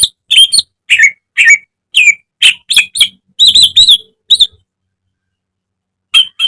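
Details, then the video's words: Greater green leafbird kept in a cage, on a training recording, giving a run of high, clipped whistles and chirps, then a tight fast cluster of notes before a long silence and one last note. "Masteran cucak ijo agar cepat rajin bunyi~gacor setiap hari"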